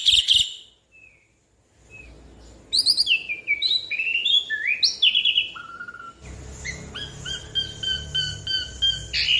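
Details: Lively, varied Asian pied starling song of slurred whistles, rising and falling in quick succession, then a steady run of chattering notes, used as a lure to prompt other birds to sing.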